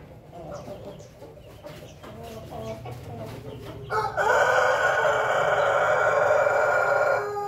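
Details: Pelung chicken crowing: after a few seconds of low background hum and faint ticking, one loud, long, steady harmonic crow starts near the four-second mark and is held for about three seconds before fading.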